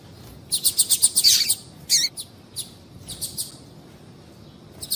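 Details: Female double-collared seedeater calling to stimulate the male: a fast run of about six high, bright chirps that blur into a brief trill, then scattered single chips trailing off more softly.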